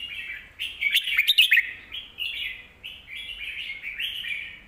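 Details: Song of a Red-whiskered bulbul, a caged bird singing in a big, full voice so young birds can learn. Rich, chortling phrases run nearly without pause, with a cluster of sharp clicks and whistled notes near the first second.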